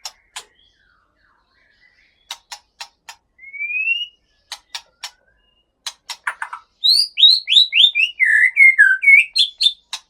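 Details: White-rumped shama of Aceh type in a breeding aviary, male from Bahorok, North Sumatra: sparse sharp clicks and one rising whistle, then a rapid cascade of high, sliding whistled notes in the final three seconds.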